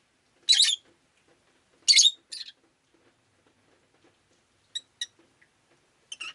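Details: Pet rosy-faced lovebird on a rainy day, with two loud harsh chirps followed by fainter, shorter clipped notes and a brief chattering burst at the end.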